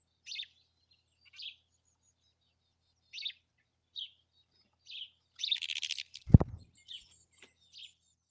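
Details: Female black-capped chickadee hissing in defence against a house sparrow, then fighting back: a harsh, breathy burst of broad noise lasting under a second, with a loud thump, between short, thin high calls spaced about a second apart.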